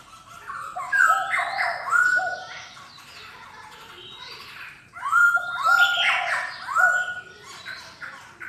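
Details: Black-throated laughingthrush giving two bursts of song about four seconds apart, each a run of loud, clear, downward-slurred whistles over a lower repeated note, with a quieter stretch between them.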